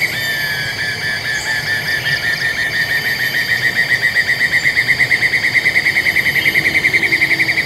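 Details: Black-and-yellow broadbill in Taman TAR, Congkak, West Malaysia, 2022; a trill rises out of busy background, growing louder and more distinctly pulsed over several seconds, with other high chirps early on.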